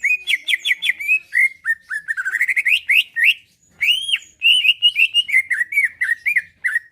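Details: Greater green leafbird, a kept singer whose voice is said to stir rivals to reply and fight: dense, varied whistled phrases, fast trills and chattering notes with a single brief pause, then more bright repeated whistles.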